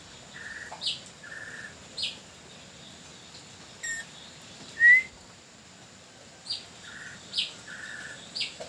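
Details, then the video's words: Long-tailed parakeet lure call: short clear whistled notes in pairs, some flat and some higher and clipped, repeated over several seconds, with one louder rising whistle in the middle and steady hiss behind. "SUARA MERDU BURUNG PULING NURI TANAU PIKAT"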